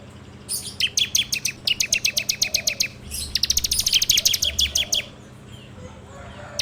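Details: Bar-winged prinia training-lure song, full 'ngebrem' style, Android phone recording: two long, rapid, buzzy rattling trills of high notes, each about two seconds, split by a brief pause.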